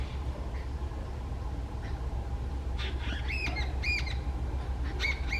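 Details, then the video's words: An angry jungle babbler calling loudly in Howrah, West Bengal, India, gives a quick burst of harsh, squeaky, nasal squawks in its final seconds, over a steady low rumble of background noise. "Calls of a Jungle Babbler"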